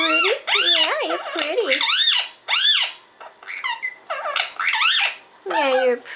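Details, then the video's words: Pet parrot, called a good boy by its owner, babbling gibberish: a fast run of squeaky, voice-like syllables with wavering harmonic tones, some sliding up and down, broken by short pauses, with a person chuckling and talking nearby. "Parrot gibberish"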